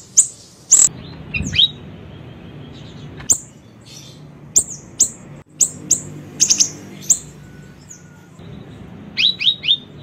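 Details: Siri-siri bird lure recording: scattered high, thin chips, some doubled or tripled, separated by quiet gaps of a second or more, ending with a quick group of three descending chips; faint background hum.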